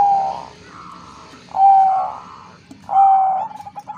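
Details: Female Bangkok-type zebra dove (perkutut bangkok) calling to the male, played to raise breeding urge; three mid-pitched cooing notes about every one and a half seconds, each a steady hum with faint softer notes between, over low background rumble.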